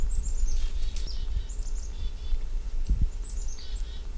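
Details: Chickadee calls outdoors: three phrases, each a run of high descending thin notes dropping into lower hoarse buzzy notes, over steady low-frequency background rumble and a couple of soft thumps.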